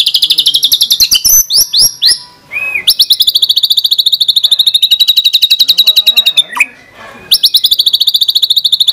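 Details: White-rumped shama (murai batu) pouring out rapid-fire 'tembakan' trills, long strings of fast, crisp repeated notes with a short pause and a quick descending whistle between the strings.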